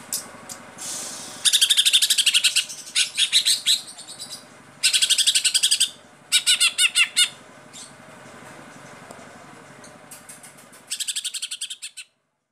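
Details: A kept greater green leafbird from Losari, Pemalang, singing loud bursts of rapid, sharp, chattering notes in rattling volleys, each lasting one to two seconds, with quieter gaps between.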